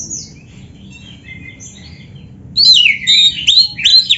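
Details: Oriental magpie-robin song packed with canary-style phrases: faint high notes for the first half, then a loud burst of looping, rising-and-falling whistles and sharp chips near the end.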